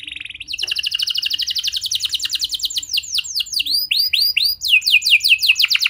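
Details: Canary song used to draw other canaries into singing: a buzzy start, then a long rapid high trill of repeated notes, changing into separate swooping falling whistles near the end.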